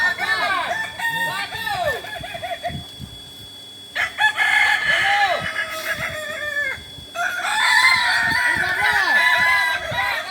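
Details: Group training of Kokok Balenggek chickens at Ampang Kualo, Solok, West Sumatra: bursts of layered crowing separated by quieter pauses, low curved crows and scattered clucks throughout, and a strong chorus at the end.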